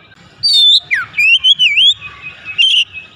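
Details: Oriental magpie-robin song meant to provoke other magpie-robins into singing: a high clear whistle, then a falling slur and a run of rising-and-falling warbled whistles, closing with a short bright phrase, on a quiet background.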